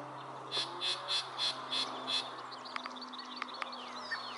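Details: A Yellow-breasted Chat singing at Springbrook Prairie, Naperville, Illinois, in May 2021, gives seven harsh, rasping notes in quick succession, about three per second, then scattered soft chips and whistles over a steady low hum.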